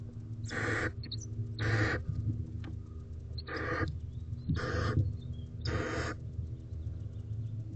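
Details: Barn owl owlet in a nest box on an April 2023 evening; five harsh, breathy screeching hisses, each about half a second long, repeated roughly every second, with a constant low hum underneath.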